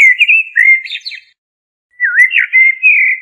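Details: Loud blackbird song in two phrases: sweet whistled warbling ending in scratchy high notes, a half-second gap, then a swooping fluty phrase.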